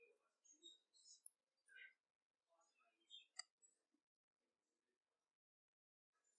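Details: A male red-winged blackbird with a pale yellow wing bar gives quiet bursts of short chips, clicks and thin whistles in uneven clusters, with brief pauses. A sharp click stands out midway.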